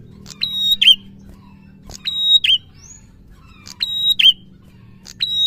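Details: Prinia song used to stimulate quiet prinias to sing: sharp, high buzzy notes with a steady whistled tone, each phrase ending in a bright twisting flourish, repeated about every one and a half seconds.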